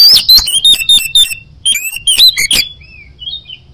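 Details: Oriental magpie-robin (kacer) in energetic chattering song, ngoceh gacor style: rapid sharp chips and clicks mixed with high whistled notes and slurred phrases, bursts about every quarter second, fading to softer distant whistles.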